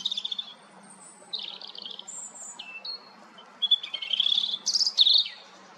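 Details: European robin singing a varied series of thin, high whistles and twittering trills, with short pauses between phrases and a sharp rising flourish near the end.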